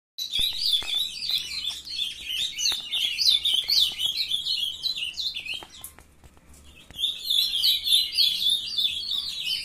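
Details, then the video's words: Captive young ultramarine grosbeaks from a breeder, several birds singing at once: dense, overlapping high chirps and twittery warbled phrases, nearly continuous, with a short lull near the middle before the chorus resumes. "filhotada de azulão mandando ver"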